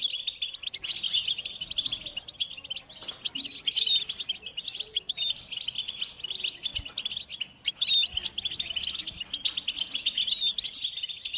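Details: Chorus of European goldfinches in nature, chattering continuously; bright tinkling twitter with occasional clear upslurred whistles rising above the steady buzz of many birds.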